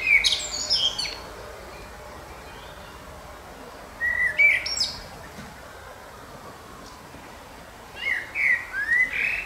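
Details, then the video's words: A singing common blackbird: three separate fluted phrases, each about a second long and roughly four seconds apart, with mellow mid-pitched notes running into thin, high twittering flourishes over a quiet outdoor background. "kilka minut .... ze Śpiewającym Kosem - e few minutes .... with Singing Blackbird"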